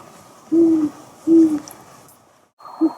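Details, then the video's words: Great horned owl hooting at night from the top of a house roof where it often sits; deep, low, steady hoots, two evenly spaced notes then a third cut short, against faint background hiss. "Great horned owl hooting"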